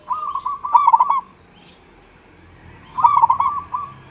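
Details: Local caged zebra dove singing vigorously in the rainy season: two phrases of rapid, bubbling staccato coos, each about a second long and separated by a two-second pause, over a low background hum.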